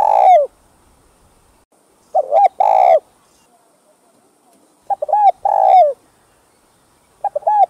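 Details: Spotted dove cooing, played to stimulate decoy doves to coo; phrases of short clipped notes followed by a long, mellow coo that falls at the end, repeated about every two and a half seconds in a quiet setting.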